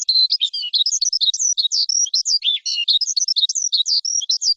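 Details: Lark, a small ground bird prized as a cage songster, pours out a varied warble of short whistles, buzzy slurs and bright chirps in quick succession, clean with no other sounds.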